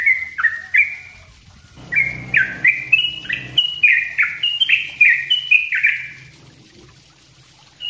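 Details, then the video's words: Sooty-headed bulbul singing densely and energetically, a recording meant for training other birds: rapid chain of short slurred whistled notes, alternately rising and dropping, about three per second, with a low hum beneath part of the phrase. "suara trucuk ropell rapat gacor bagus buat masteran"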